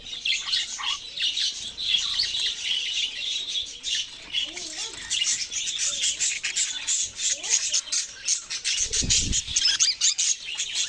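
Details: Continuous flock chatter of budgerigars, busy high twittering and buzzy squeaks throughout, with a few low bumps, possibly wing or cage noise, near the end.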